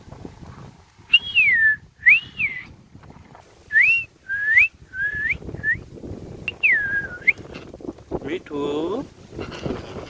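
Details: Rose-ringed parakeet playing in a tree gives a series of arched whistled notes, rising then sliding down, in uneven bursts, followed by a rough rasping sound near the end.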